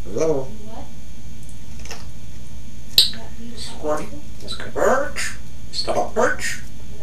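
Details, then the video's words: A pet Grey parrot talks in a human-like voice, giving short word-like phrases and a few laugh-like bursts against a steady low room hum. "Laughs human voice intelligent smart Grey parrot"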